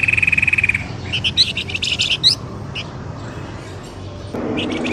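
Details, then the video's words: Lure sound for drawing birds out of bushes: a steady, even trill, then scattered sharp upslurred chirps, with fainter chatter at the end. "SUARA PIKAT BURUNG pelamboyan ribut"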